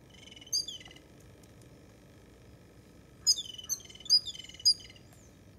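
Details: Jungle babblers (Argya striata) in the morning give squeaky, high, slurred chattering calls in two bursts, the second a rapid run of overlapping squeals, over a faint low background hum.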